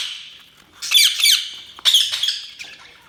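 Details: Budgerigar giving harsh scratchy chirps, two loud paired bursts roughly a second apart, each trailing into softer chatter.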